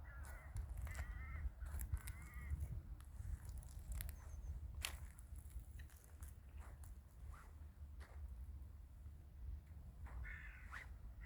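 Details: Winter village crows give a run of three or four harsh, harmonic caws in the first few seconds, then a gap of rustling and clicks before a final caw near the end, all over a constant low background rumble.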